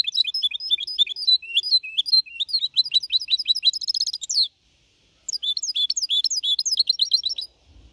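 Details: Young goldfinch hybrid, four and a half months old, in 2021, delivering clean Malaga-copy song meant to motivate other birds: long fluent high twittering with a buzzy trill near the end, a short silence, then another rapid warbled phrase.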